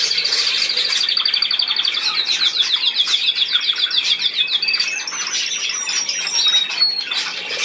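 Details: Budgerigar chattering with a long run of fast, regular high chirps, then scattered short whistles over continuous murmuring calls.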